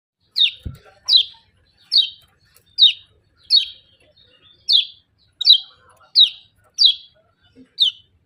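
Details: Scaly-breasted munia giving sharp, high, downward-slurred 'ciak' chirps, about eleven in eight seconds, spaced roughly every two-thirds of a second at a steady pace; one brief low thump near the start, otherwise a quiet background.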